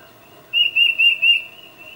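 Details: Tufted titmouse calling its mate, recorded with a Nikon D800 camera and 600mm lens: one clear whistled phrase of four quick, slightly slurred notes lasting about a second, against a quiet background.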